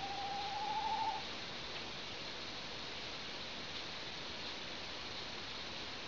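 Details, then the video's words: An owl gives one drawn-out, mid-pitched whistled hoot lasting about a second and rising slightly at the end, followed by steady hiss. "il gufo.. suono che emette"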